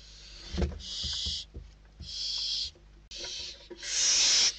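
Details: Inside a Spanish barn owl nest, chicks fight over a delivered bird; loud breathy hissing screeches in four bursts, mixed with scraping, shuffling and knocking from the scuffle, the last screech longest.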